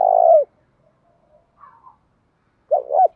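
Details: Decoy spotted dove used to provoke wild doves into cooing and fighting. A low, throaty coo note opens the clip; after a near-silent gap, a fresh phrase begins with two short rising notes.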